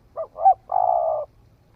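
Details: One cooing phrase from a newly calling spotted dove on a forest trial: two quick notes, the second louder, then an extended, even, trembling coo.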